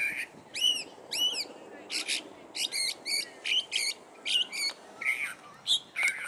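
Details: California thrasher singing at Cabrillo Point; a varied string of short phrases, with sweeping slurred whistles, buzzy chips and repeated motifs, about two notes a second, against a quiet background.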